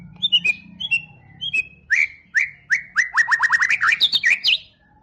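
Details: Champion competition white-rumped shama: a few clear descending whistles, then a fast series of sharp downslurred notes that speeds into a rapid burst of high, twisting whistles before stopping.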